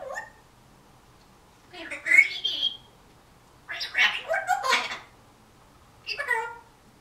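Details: Young African Grey Parrot, just over one year old, mimicking words and phrases in September 2010. Three bursts of bright, raspy, speech-like syllables are separated by silent pauses, with a shorter fourth utterance at the end.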